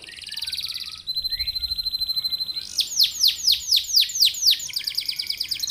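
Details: Canary singing to draw song from other canaries: a buzzy high trill and a steady thin trill, then a run of about eight loud arched, swooping notes and rapid chatter.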